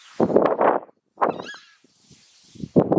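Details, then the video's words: Southern screamer of wetlands and flooded fields calling in coarse, honking bursts, two joined at the start, then single harsh blasts separated by quiet gaps, with faint rustling between. "Chajá GRITO"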